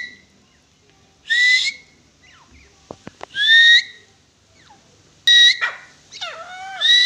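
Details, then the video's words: Grey francolin call: a few loud, rising, upslurred whistles spaced irregularly. Sharp clicks and a lower descending call fall between them. "Dakhani Titar ki awaz"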